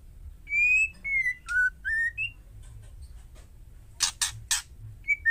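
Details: Female white-rumped shama calling to provoke males into answering: a series of clear, slightly rising whistled notes, then sharp harsh rasping bursts near the end and a short whistle to close.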